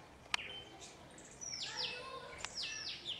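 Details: Long-tailed mockingbird watching a small dog and imitating a cat to make it bark: two clear high, slurred descending sweeps about a second apart, each trailed by a thinner whistled note, over faint background hiss and a sharp click.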